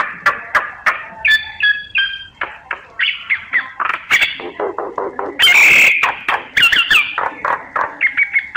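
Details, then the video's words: Myna lure recording used in bird surveys. Uneven, squawking and chattering notes run almost nonstop, with brief whistled phrases. A harsh, buzzy screech stands out midway. "Tiếng chim sáo, Tiếng Chim Sáo mồi, kích bổi"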